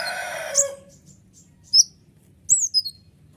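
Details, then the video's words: Sunbird locally named kolibri ninja, used as a provoking lure for other birds. After an opening rush of broad noise come three sharp, very high squeaks with a quick downward slide. "suara ribut kolibri ninja gacor nembak full durasi"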